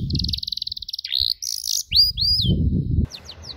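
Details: Domestic canary on a tutor recording meant to teach young canaries the cuit cuit chirp: short high chirps and a fast buzzy trill, then sweeping whistled notes, over low rumbling background noise.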